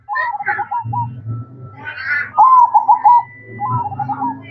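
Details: Night-time manggung song of a zebra dove: repeated rolling cooed notes in short phrases, over a constant low hum and with a few higher harmonic calls mixed in.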